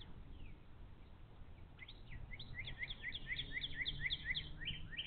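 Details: Bald eagle at a nest on a live camera at the Little Miami Conservancy, 11 April 2023, during feeding, after fish was brought in. A rapid series of high, thin, piping notes builds and repeats steadily in the second half.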